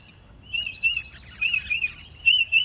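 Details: Sulphur-crested cockatoo in Australia, crest up in high-alert mode, alarm calling: six short, harsh, raspy squawks in three quick pairs, about one pair a second, against a quiet, faintly rumbling background.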